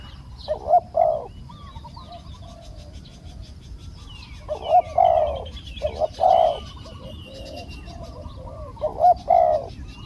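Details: Decoy spotted dove calling to lure a small-voiced wild dove that took long to descend; widely spaced clusters of deep, rough coo notes, with a chorus of thin high chirps from other birds.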